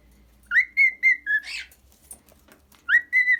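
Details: Domestic cockatiel whistling in short clear notes, a few quick rising whistles, then a brief rough burst. The whistles resume after a pause, over a faint low hum.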